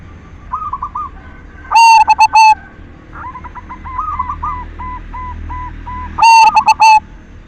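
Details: Silver-variety zebra dove singing as a lure to encourage other doves to sing: two strong, overdriven coo phrases of rapid stuttering notes. Between them a distant dove gives a long run of short, evenly spaced coos.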